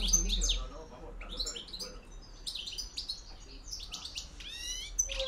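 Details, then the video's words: European goldfinch singing 'reclamo campero', 2013–2014: fast trilling twitters and buzzy rising notes in rapid succession, with a low hum and background noise below. "JILGUERO RECLAMO 2013-2014 PEGANDO FUERTE CAMPERO"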